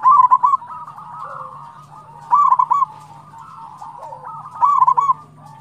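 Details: Local zebra dove in lively song, used to get other doves singing: three loud phrases of quick, bubbling staccato coos about two seconds apart, separated by softer cooing from nearby doves.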